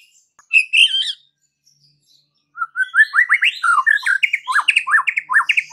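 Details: White-rumped shama song used to rouse other shamas: a brief ringing phrase, a pause, then a rapid rising series of sharp upswept whistled notes repeated in quick succession.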